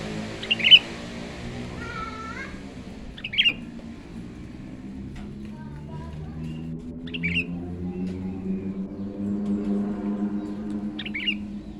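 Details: Sooty-headed bulbul taken young from the wild and trained as a trapping decoy calls with several short, sharp chirps spaced a few seconds apart, alongside softer whistled tones and a droning engine-like hum.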